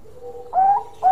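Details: Zebra dove of the Bangkok type singing a long song: a soft, low, drawn-out coo followed by two louder, fuller, mellow coo notes, with little else audible.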